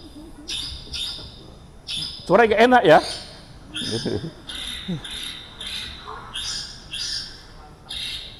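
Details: A recorded Long-tailed Shrike, a four-coloured "cendet," sings short, scratchy high bursts repeated roughly twice a second, with a man's voice speaking briefly over it.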